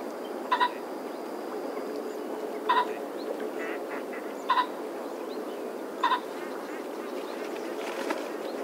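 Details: A common pheasant (Phasianus colchicus) gives four harsh, two-part kok-kok calls, about one every two seconds, over a steady hiss of outdoor background noise.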